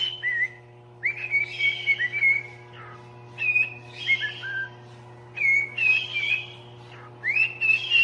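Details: Parrot kept as a pet, singing a tune of whistled phrases, some sliding upward, others falling, delivered in irregular groups with gaps of about a second, a constant low hum underneath.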